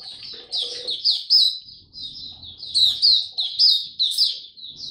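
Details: White-eye male in February 2022, song in progress toward maturity: energetic, high, slurred twitters in two rapid runs separated by a short gap, with faint low background sounds.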